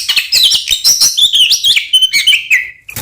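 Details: Oriental magpie-robin singing a fight-provoking lure song: a fast, dense stream of sweet whistled slurs, high trills and harsh chips, closing on a long falling whistle.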